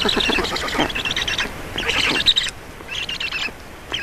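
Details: Estonian black storks at the nest while being fed, early evening of 4 June 2019; dense, raspy pulsed calls in quick succession, then fading into a few shorter scratchy bursts.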